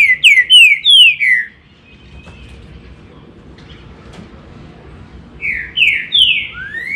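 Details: A green-winged saltator delivers a phrase of four ringing, downward-slurred whistles, falls silent for about four seconds, then repeats a similar four-note phrase ending in a rising note; low background hum.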